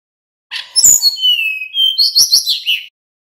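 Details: Male little pied flycatcher giving 'nyeklek' lure song. A short buzzy note leads into a series of descending high whistles and a drawn-out tone, closing with a dense warbling flurry.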